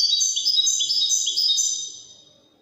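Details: European goldfinch with a Moroccan Wydani song phrase: rapid high tinkling, buzzy-edged notes in a steady run, fading away after two seconds.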